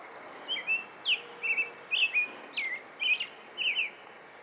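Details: An American robin singing on a roof in Stouffville, Ontario: a steady run of short, clear whistled phrases, about two per second, rising and falling, with a few higher squeaky notes mixed in.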